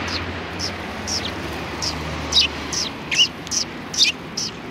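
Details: Sparrows greeting visitors in front of a cultural hall, recorded 7 February 2020: high, clipped chirps repeated roughly once a second, growing louder and denser toward the end, over a low steady rumble.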